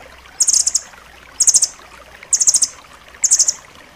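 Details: Striated grasshopper-warbler (rambatan loreng) song used for training pet birds, described as dense and sharp: very high, tight rattling bursts of rapid notes, each about half a second, repeated roughly once per second over faint background hiss.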